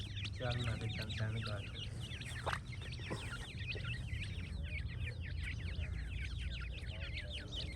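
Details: Many francolin chicks chirp at once, a steady stream of sharp, high, down-slurred peeps packed closely together, with a few soft lower notes early on and constant low background noise.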